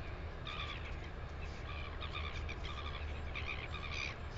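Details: Northern royal albatross in New Zealand, recorded 9 September 2020: harmonic, nasal calls in short stacked bursts that repeat through the clip, set over a steady low rumble of wind.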